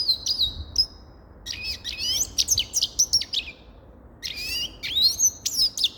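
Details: Bright, chattering song of a grey-crowned goldfinch: a thin whistle, then rapid jangling twitters, a second-long pause, and another burst of liquid, upslurred chirps.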